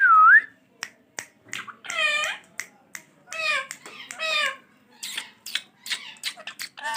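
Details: Pet green ringneck parrot talking: a short looping whistle opens, followed by a chain of raspy, human-like word syllables and clicks, delivered quickly with brief gaps.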